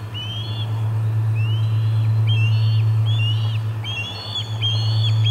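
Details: Osprey at the Charlo nest on 4 September 2020, calling during the day's third food delivery: a rapid series of clear, upslurred whistled chirps, repeated about three per second, over a steady low electrical hum.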